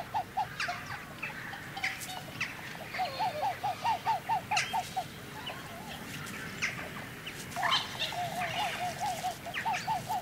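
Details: Close-up display calls from a pair of Upland geese, subspecies leucoptera: two bursts of rapid, evenly spaced arched honking notes separated by a pause, with distant jackdaws, house sparrows and other bird chirps behind.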